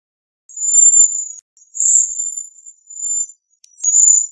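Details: Long, drawn-out, very high trills from a Bohemian waxwing, four in sequence. Each trill wavers slightly in pitch, with brief pauses between them.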